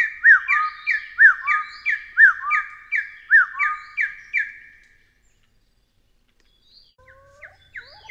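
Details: Taiwan partridge calling in a rapid series of arched notes, each followed by a lower flat whistle. The series stops after about five seconds, then a quiet pause and a few faint, different call notes.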